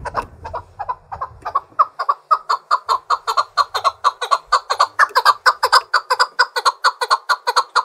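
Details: A trained fighting Chukar partridge gives a long run of harsh, clucking chuck notes that quicken and grow louder, a few per second, with a low rumble at the start.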